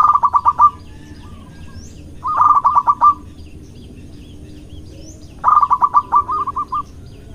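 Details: Courting male local zebra dove with a strong voice delivers three phrases of quick, staccato cooing notes, the last trailing into wider-spaced notes, separated by quiet gaps over a low hum.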